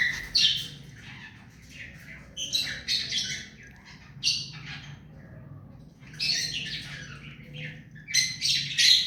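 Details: Hand-tame rose-ringed parakeet producing clustered grating squawks in three loud bouts, each a rapid jumble of harsh high notes with softer chatter between.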